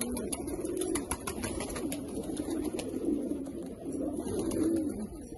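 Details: Rare Australian pigeons coo in deep, wavering phrases that rise and fall together, with light ticking noises in the background.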